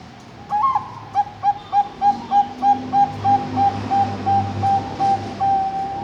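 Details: Ringed Bangkok-type zebra dove from a breeding farm in Kediri, East Java, giving its front song: an opening upturned whistle, then a long train of quick mellow coos that stretch and soften toward the end, with faint hum behind.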